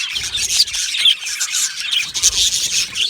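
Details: Aviary colony of Australian budgie parakeets, many birds chattering together in a thick wash of high, scratchy chirps and squeaks with brief sharper peeps, constant and overlapping.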